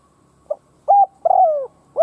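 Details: Decoy spotted dove calling to provoke rival doves. A soft short note is followed by a steady coo and a long downward-gliding coo, with the next note just starting as it ends. A faint steady tone runs throughout.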